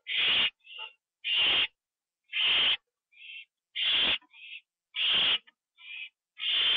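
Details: Owl calling from its nest late on October 9, 2011, 9:54 PM, as a delivered bird is eaten inside. Loud rasping hisses repeat about every 1.3 seconds, alternating with short, softer hissy notes.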